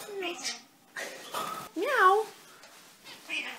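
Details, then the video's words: Indoor pet common starling under a year old, learning to talk: soft chatter, then a loud rising-and-falling harmonic note like a meow or a 'hello', followed by quieter scratchy notes. "the starling bird is learning to talk"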